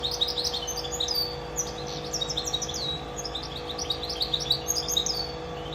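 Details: Goldfinch mule, a goldfinch and canary hybrid, singing a fast twittering run of high chirps and short slurred notes, bursts tumbling over one another with brief pauses, over a steady low electrical hum.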